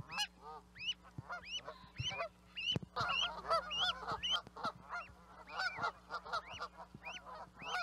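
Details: Canada geese in a busy chorus: nasal honks with a sharp rising top note, nearly two per second, thickening midway into dense overlapping calls from many birds.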